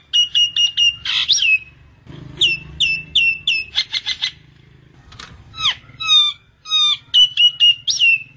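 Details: Myna lure sound: rapid clipped notes, a harsh screech, then varied slurred whistles, dry rasps and downward chirps in irregular groups over a low hum.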